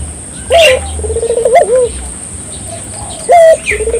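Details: Barbary dove song meant to stimulate local doves to sing: brief loud accented notes and a short rolling coo, partly masked by background chirps and rustling.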